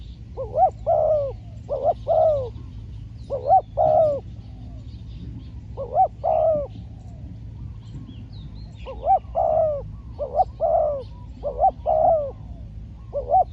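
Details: Spotted dove decoy calling repeatedly while trapping wild doves on a training outing; a long series of cooing phrases, each a short double note then a drawn-out coo, roughly every two seconds with brief gaps and low background noise.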